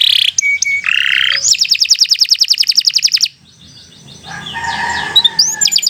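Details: Singing canary, a lively bird kept for training other canaries, gives a fast run of high buzzy trilled notes, then a pause and softer scattered chirps with faint background hum.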